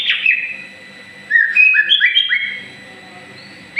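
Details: Moulting white-rumped shama, described as a future champion bird, gives a quick run of rising and falling whistled notes stepping up and down, then a pause before a final sharp whistle, over a faint low background hum.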